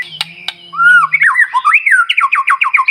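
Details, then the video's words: Singing white-rumped shama, a morning lure to set other birds singing: a clear whistled phrase followed by a fast series of repeated looping whistles. "Pancingan Murai Batu Paling Ampuh Bikin Burung Lain Meledak Bunyi"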